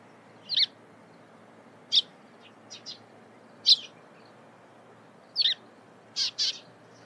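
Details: Eurasian tree sparrow calling in the morning: short, bright chirps repeated at uneven intervals, some doubled, over a quiet background.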